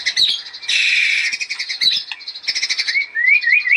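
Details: White-rumped shama in energetic master song for bird training: dense harsh chattering and rasping bursts, ending in a series of clear rising whistled slurs.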